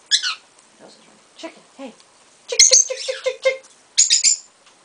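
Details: Lutino peach-faced lovebird, a hand-raised female from a first clutch, perched on a person's shoulder, trading sharp high chirps with a second lovebird; short buzzy bursts and a row of clipped notes, soft human speech nearby.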